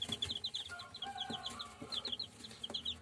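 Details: Purebred German Shamo chicks peeping continuously, quick high downward-slurred notes in pairs and short bursts, several birds overlapping, with a few lower drawn-out tones and soft scratching in the background.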